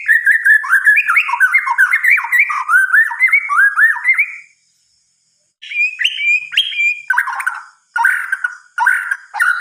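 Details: Nighttime song of a white-rumped shama: a long, rapid sequence of fluty whistled notes rising and falling, a silent gap, then short varied bursts of whistles and chattering.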